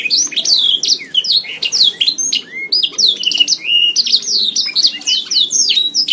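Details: Canary delivering an unbroken run of song for training pet songbirds, packed with rapid high chirps, descending whistled slurs and short trilled rolls in quick succession.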